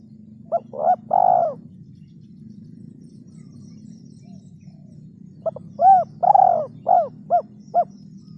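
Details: Spotted dove used as a lure bird, giving the rare 'kuk 2' and 'kuk 3' ending: two phrases of soft, hollow coos, short notes building to longer arched ones, separated by a quiet pause over a steady low hum.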